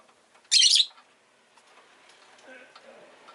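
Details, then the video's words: Pet Rosy-faced lovebird giving one harsh, high, scratchy chirp, followed by faint low background murmur. "Lovebird Chirping Sounds"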